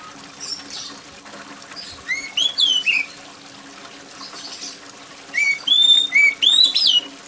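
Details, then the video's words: Loud, shrill oriental magpie-robin song, described as gacor, used to coax other magpie-robins to sing. Two bursts of clear whistled notes, sliding and rising-falling, over steady rain and trickling water. "TERAPI KACER MALAS BUNYI || kacer mana yang gak ikut bunyi dengar kacer gacor + suara air hujan"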